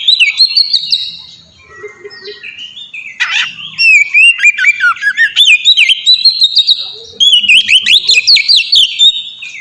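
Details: Oriental magpie-robin in loud, open song intended to train other birds: a long run of varied whistles, slides and clicks, repeated quick upslurred notes mid-clip, broken by a short pause and one harsh note.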